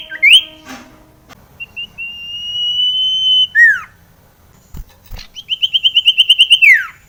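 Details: Iora, called sirtu in Indonesia, used as a lure for quiet birds: long level whistles, a sliding note, and a quick trill of repeated notes ending in a falling slur.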